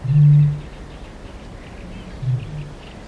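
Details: Eurasian bittern giving its booming call from medium-close range: a loud, deep, hollow boom lasting about half a second, then a softer second boom, with faint high bird notes behind.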